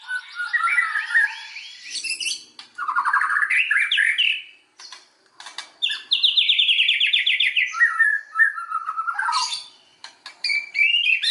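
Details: White-rumped shama song used as a lure to provoke other shamas into full song: rich varied phrases of whistles, rising sweeps and rapid trilled runs, with short pauses between bursts.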